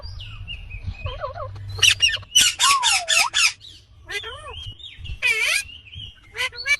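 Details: Harsh run of five rasping screeches from an Indian ringneck parakeet, with wavering whistled notes, bent squawks and a long grating burst, over faint low background hum.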